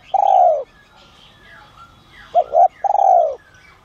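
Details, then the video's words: Luring call of a spotted dove with a 'son' voice style, given to draw wild doves near. A long, gently falling coo is followed after a pause by one full phrase: a quick paired coo and a drawn-out croon. Faint background chirps are heard. "Chim Cu Gáy GIỌNG SON kích bổi| | tiếng cu gáy gáy gọi , thúc kích mồi, gọi bổi đến"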